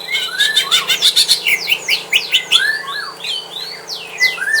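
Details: Home-kept greater green leafbird in a fighting contest with a rival: quick bursts of high chirps give way to repeated swooping, falling whistles.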